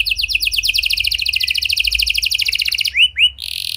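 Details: Canary singing energetically, used as a lure song to prompt silent canaries to respond, in a unique cengkok style: fast, dense high trills of repeated falling notes, then two rising slurred whistles and a buzzy closing note.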